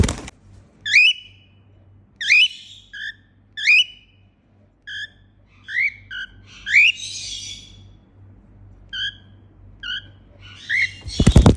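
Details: Female cockatiel singing happily indoors, a series of clear rising whistled notes, single or in pairs, about one every second, some followed by short flat peeps, with a faint low hum and a noisy burst at the close.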